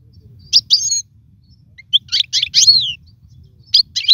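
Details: European goldfinch song for teaching fledglings: short groups of high chirps and a drawn-out downward slur, separated by pauses, over a steady low background rumble.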